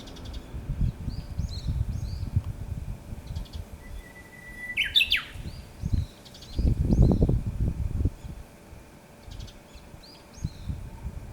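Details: Japanese bush warbler singing unseen in the wild, its textbook song: a held flat whistle breaking into a quick, higher, falling flourish midway, over loud low rumbling noise, with other birds chirping faintly in the distance.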